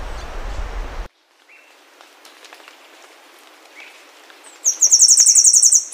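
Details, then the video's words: A rushing noise stops abruptly, giving way to quiet with faint clicks and soft notes. Near the end comes a brief, very high, fast-pulsed buzzy trill typical of Temminck's seedeater song. "O canto da Cigarrinha do sul"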